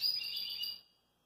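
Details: A relaxed Belgian canary singing in a kitchen sink gives a brief burst of high, continuous warbling trills lasting under a second, then falls silent.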